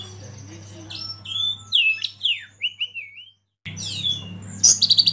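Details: Oriental magpie-robin lead bird meant to provoke others into song: a few clear whistled slurs over background hiss, a brief silent break, then sharp high notes and rapid chips.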